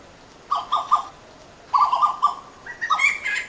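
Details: Western Plantain-eater yelping in short groups of three harsh, hoarse notes, separated by brief pauses, with a higher rising note joining near the end.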